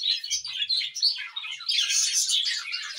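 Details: Budgerigars in an aviary, as a baby budgie comes out of the nest, give a dense, continuous stream of high, scratchy chirps and warbles.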